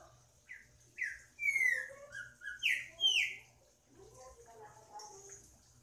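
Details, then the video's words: Green-winged saltator singing: a run of loud, clear whistled notes that slur downward, delivered in quick succession, with a few softer lower warbles after them and faint background hiss. "Trinca ferro cantando"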